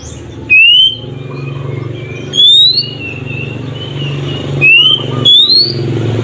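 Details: White-rumped shama song used to provoke other shamas into singing: loud rising whistled notes in short bursts, some clear upward sweeps repeated about every two seconds, over a steady low hum of vehicle or engine noise.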